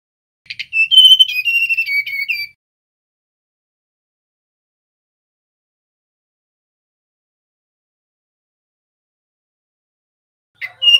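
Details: A single sweet, descending run of whistles from a male mangrove blue flycatcher, about two seconds long, then a long quiet gap before a faint new note at the close.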